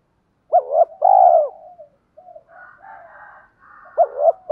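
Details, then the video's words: Spotted dove, used to make newly caught doves coo and to train decoys: a hooked double note and a loud arched coo, soft descending trailing notes and murmuring, then another hooked note. "Tiếng chim cu gáy kích bổi mới nhanh nổi, giúp bổi rất xiêng gáy và luyện chim mồi căng lửa"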